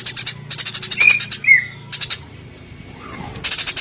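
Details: Eurasian tree sparrow recording meant for training pet birds: bursts of rapid, thin, high chirps in quick series, broken by a couple of short lower slurred notes and a quiet gap.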